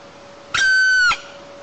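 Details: A red-crowned woodpecker calls loudly at its nest at 4:45 a.m. on 20 August 2022 in Almetyevsk region, Tatarstan, Russia: one steady, nasal, level-pitched call lasting about half a second, over a faint constant hum.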